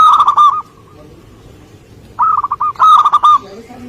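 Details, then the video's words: Zebra dove, local wild type, cooing song: two bursts of rapid, fluttering low coos, the first ending near half a second, then a gap of about one and a half seconds before two closely spaced rolling phrases; faint background rustle. "Perkutut Lokal Gacor"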